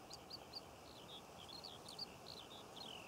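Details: Singing Eurasian skylark over Cornish poppy fields in June 2014: faint, rapid high warbling with looping, slurred notes that run on steadily.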